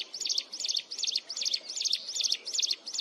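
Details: Continuous, piercing song of a mountain wren: rapid high chittering notes bunched into short bursts, repeated steadily about two and a half times a second without pause.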